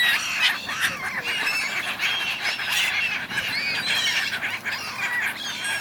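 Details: Gulls arguing in a flock on the Dnipro river, Kyiv, Ukraine, in January: rapid, high, squealing cries overlapping densely, with rising and falling arched notes from several birds.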